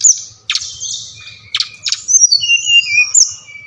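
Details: Brown-chested jungle flycatcher (Bali type), used as playback to prompt lazy captive birds to answer and sing, sings a rapid, high jumble of sweet whistles and sharp downward chips, with sliding notes and brief trills.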